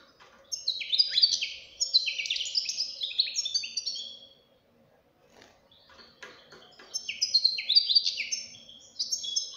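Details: Goldfinch chick delivering a mature-sounding song: a long run of fast, liquid twitters and buzzy descending notes, a pause, then a second twittering phrase.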